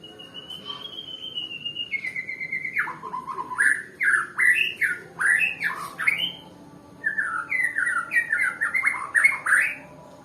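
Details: White-rumped shama from Nias, called a lazy singer: a steady whistled note steps lower, then a long sequence of loud, rich, slurred phrases repeated about once a second, with a short gap before more fluid phrases.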